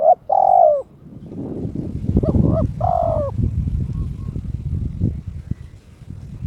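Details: Caged spotted dove, in breeding condition and challenging a rival: two pairs of coos, a short note then a longer level one, heard over loud low rumbling and clattering noise that continues after the calling stops.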